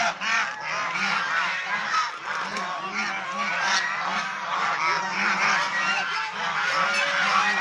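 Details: Domestic swan goose, also called Chinese swan goose, kept birds shown playing, bathing, resting and fighting; a dense chorus of overlapping nasal honks runs without pause, many calls stacking in quick irregular succession.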